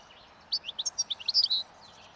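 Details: Wild European goldfinch feeding on last year's thistle seeds along a roadside as spring approaches, singing its breeding song: a quick burst of about ten bright, high twittering chirps over roughly one second, with faint background hum.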